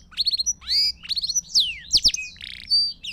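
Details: Singing Belgian canary, a recording for training young birds: quick clusters of repeated high notes, swooping whistles and sharp doubled chirps, closing on a steady held whistle.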